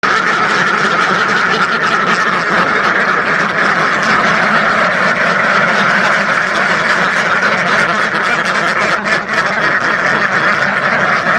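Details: A flock of thousands of ducks quacking at once, a dense, unbroken din of overlapping nasal quacks that holds steady without a pause for the whole stretch.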